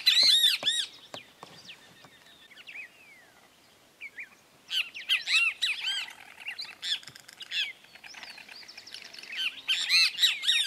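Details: Red-crested cardinal (Paroaria coronata) feeding in Esperanza, Santa Fe, Argentina in 2022, on seeds, mulberries, privet fruit, sunflower seeds and maize, giving bursts of sharp, squeaky chips and harsh arched notes, several per second, with quieter pauses between.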